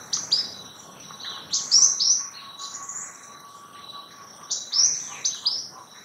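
White-winged Tanager giving high, thin chirps and short sliding notes in loose bursts, with a faint steady insect hum underneath.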